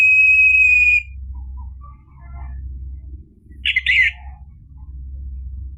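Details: Orange-headed thrush lure recording meant to provoke a silent bird into singing: one long steady whistle, faint scattered notes, then a short harsh burst of jumbled notes, over a low background hum.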